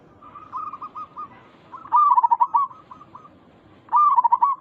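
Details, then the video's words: Zebra dove, a local Indonesian perkutut of the gacor type, calling to lure other zebra doves to answer: rhythmic cooing phrases of quick stuttering notes near one pitch, opening softly and then repeating louder about every two seconds. "Perkutut lokal gacor Suara ini membuat Burung Perkutut langsung Nyaut cepat respon 100% sangat ampuh"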